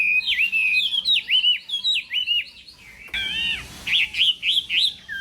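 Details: Singing-contest hwamei in the morning: repeated bright whistled phrases, each dipping and rising, delivered in steady rhythm, briefly pausing before resuming with louder ringing notes.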